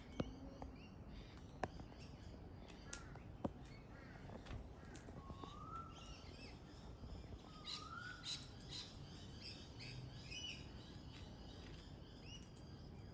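Pale-headed rosella giving two short, slurred whistled notes a few seconds apart, with scattered high chattering over a steady low rumble of background noise.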